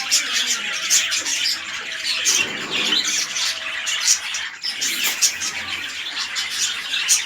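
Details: Pair of red-eyed lutino budgies for breeding, a king-size male and an undersized female: busy scratchy warbling chatter with quick chirps and clicks, continuous and densely layered.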